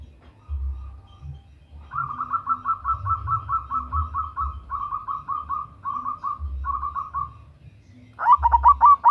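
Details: Local zebra dove, a female calling a male, used as a lure; a long run of soft rolling coos near one pitch gives way to a loud, harmonically rich burst of quick trilled coos at the end, over a low rumble.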